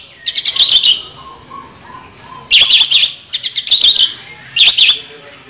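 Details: Orange-headed thrush with a rolling song delivered in short, dense bursts of high, buzzy chattering notes, three or four bursts separated by brief pauses.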